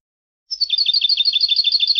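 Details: Goldfinch from Palestine, European goldfinch, delivering a steady rapid trill of repeated liquid two-part notes, about twelve per second, high and even, sustained for one and a half seconds.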